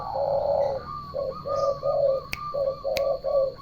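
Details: Turtle dove song: a run of low, rough purring phrases, seven short bursts in under four seconds with brief gaps, joined by sharp clicks near the end and a steady high-pitched electronic whine throughout.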